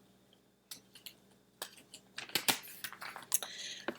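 Irregular crunching, tapping and clicking noises in a small indoor space, with no animal voice heard.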